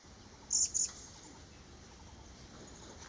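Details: Vernal hanging parrot, in a breeding pair in a Thai national park, gives two quick, very high, thin squeaky notes over a steady insect buzz. The female incubates while the male brings food, and the call is likened to "forty, forty."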